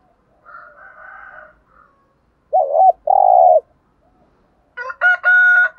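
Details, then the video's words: Spotted doves, male and female, cooing in the morning, used by keepers to stir decoy birds into cooing. A faint soft coo is followed by two loud, low, hollow coo notes, then brighter ringing bursts near the end. "chim cu gáy kích bổi thúc gáy gọi bổi buổi sáng"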